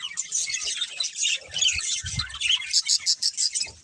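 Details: A budgerigar breeding pair chirps in rapid bursts, about three per second, scratchy warbling that turns into evenly spaced short tweets at the end, with low soft thuds beneath.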